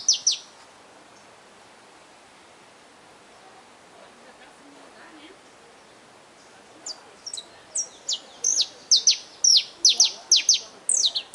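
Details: Saffron finch in the wild: about six seconds of quiet background, then a rapid run of high, descending chirped notes, roughly two per second, growing denser toward the end.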